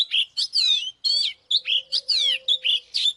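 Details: Oriental magpie-robin singing to provoke a wild-caught rival into fighting: strong, varied whistles with long falling slurs and rich chirpy notes, delivered in quick bursts over a faint low tone.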